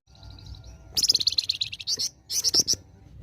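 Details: Flamboyan in besetan song: soft high ticking notes, then a dense run of fast, bright chirps, a short pause, and another quick burst of piercing notes.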